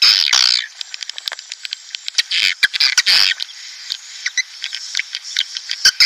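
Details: Swiftlet lure sound, played to draw breeding swiftlets or a swiftlet colony into a nest house: dense bursts of high, squawking chirps and rapid clicks, irregularly spaced, with quieter chattering between louder outbursts.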